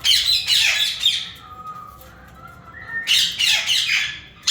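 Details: Yellow Indian ringneck parakeets, a caged breeder pair, give loud harsh squawks in two bursts of rapid, noisy, downslurred screeches, separated by a quieter pause with faint tonal whistles, in an aviary.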